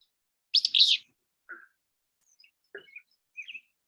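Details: Willow Flycatcher in southern Nevada, song described as a distinctive "fitz-bew": one sharp, sneezy, buzzy burst, followed by a few short, thin, higher notes over the next three seconds.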